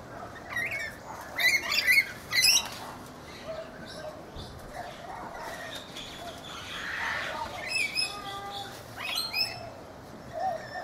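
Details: Rainbow lorikeets feeding in a backyard guava tree in Brisbane, Australia: harsh, shrill screeching bursts cluster early, then return near the end, with quieter chatter and faint low whistles between them.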